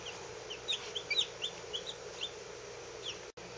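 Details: Day-old Lavender Orpington chicks, a brood of fourteen, some only hours out of the shell, sounding about a dozen thin, high, falling peeps in an uneven cluster, then quieter, with a brief dropout near the end.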